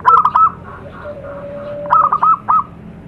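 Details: Zebra dove in nature, as lure sound: two short stuttered groups of mellow cooing notes, the second rising and trailing off, with a steady low tone between.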